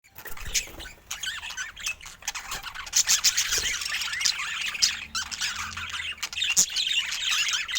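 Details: Budgerigars of various colour mutations chattering together: a dense, continuous wash of warbled chirps and squeaky notes, rising and falling quickly, with brief sharper squawks and scattered clicks throughout.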